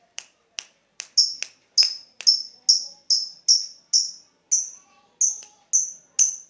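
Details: Lovebird giving 'ngetik' ticking to draw out 'ngekek' chatter: sharp clicks give way to a rapid run of short, high, piercing chirps, about two to three per second, steady in pitch.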